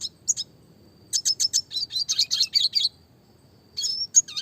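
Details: Red siskin song, classic style used as training material for small songbirds, with fast rolling and shooting variations: bursts of high, clear, buzzy chirps and rapid trills separated by short pauses, over a faint steady hum.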